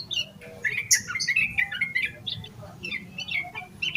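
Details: Yellow-vented bulbul singing nonstop in an agitated style, played to stimulate other bulbuls: a bright high squeak, then a rolling string of linked whistled notes, followed by looser scattered chirps.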